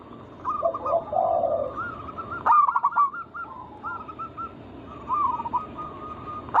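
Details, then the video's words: Zebra dove of local wild stock singing to draw other doves into song: a low purring roll, then scattered series of quick clipped coos separated by quieter gaps, with a couple of sharp knocks. "Pancingan burung perkutut lokal alam gacor suara mengundang bunyi langsung emosi"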